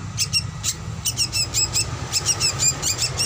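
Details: Juvenile drongo as a master recording for luring birds: scattered high thin chirps, some in quick clusters, with a low rumbling hum underneath.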